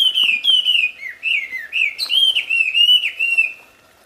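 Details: Loud, melodious song of a wild wambi, a nearly continuous string of clear whistled phrases that slide and dip, bright overtones above, ending abruptly after about three and a half seconds.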